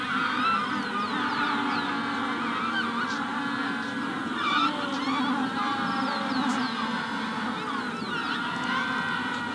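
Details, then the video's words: Many Magellanic penguins in a colony at hatching stage bray in a harsh, honking, donkey-like chorus of overlapping calls, with a Rufous-collared sparrow's thin whistles faintly in the background. "Magellanic Penguin / Calls MD In Colony At Hatching Stage"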